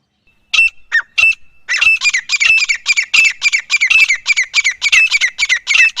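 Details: Grey francolin calling loudly in jungle: a few introductory notes building into a continuous, fast, harsh chattering series of repeated rasping notes.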